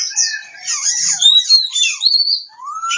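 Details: Short burst of song from an Oriental magpie-robin in Kebumen, Central Java: high, squeezed, buzzy whistles weaving up and down, ending in a long, clear, rising whistle.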